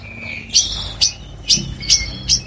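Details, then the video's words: Long-tailed shrike, a trained songbird singing as a model for daily training and competitions, in a harsh 'nembak kasar' style: five short, rasping high bursts, evenly repeated about every half second over a faint low hum. "BURUNG CENDET GACOR FULL NEMBAK KASAR"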